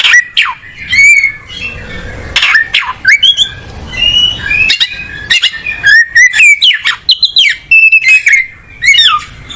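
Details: Oriental magpie-robin seeking a comfortable perch, giving energetic song of loud whistles, steep downward slurs, clicking chips and rapid buzzy trills, with varied phrases repeated over nearly ten seconds.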